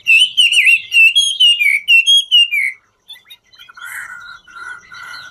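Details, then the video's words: Dancing Chinese hwamei in ngũ trường song: about three seconds of quick wavering whistled phrases that gradually fall, then a hush broken by softer, lower, steady tones and faint chips. "Họa mi ngũ trường hót múa cực chất"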